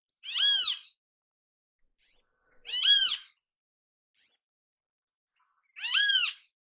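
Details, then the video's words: Great kiskadee in natural habitat: three loud, harsh, arched notes with rich overtones, each about half a second long, repeated roughly every two and a half seconds, with brief faint chips in between. "Grande Canção Kiskadee! Grande Canto Kiskadee!"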